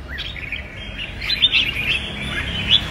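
Red-whiskered bulbul giving quick, liquid warbled phrases, rising and falling in a bright mid-to-high register over nearly three seconds, with faint background hiss.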